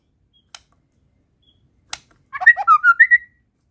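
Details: White-rumped shama from Medan delivering fill phrases. Two isolated clicks come first, then one quick burst of warbled, slurred whistles lasting about a second.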